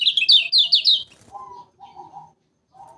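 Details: Lombok lemon-bellied white-eye lure recording for trapping: a quick run of high, slurred chirping notes for about a second, followed by several lower, flat, hummed tones with short gaps.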